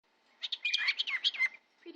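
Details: A male cockatiel chatters a quick run of high, chirpy, word-like syllables imitating human speech, repeating phrases like "pretty pretty Kirby" and "I love you Cooper".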